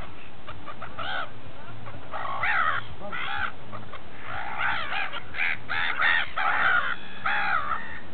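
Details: Flock of gulls feeding at Repino near St. Petersburg: sparse clipped notes at first, building to loud overlapping squawks and nasal wails in the second half over a low steady hum.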